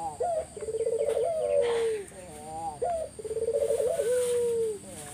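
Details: Spotted dove lure song to draw other doves into answering: a short rising note, a buzzy pulsed trill, then a long falling drawn coo, repeated twice, with faint high hiss behind.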